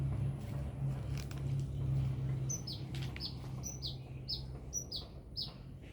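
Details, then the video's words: Sunbird from Binjai singing vigorously; after a few seconds of rumbling noise and clicks, crisp high falling chirps begin, repeated roughly every half second. "Burung kolibri gacor"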